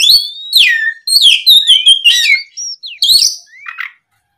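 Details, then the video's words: Oriental magpie-robin song in the afternoon, used to lure other birds: swooping whistles and quick warbled notes, ending in softer fading phrases. "SUARA PIKAT BURUNG KACER GACOR NGEPLONG SORE, MEMANCING KACER BAHAN AGAR LEKAS BUNYI NYAUT & GACOR!"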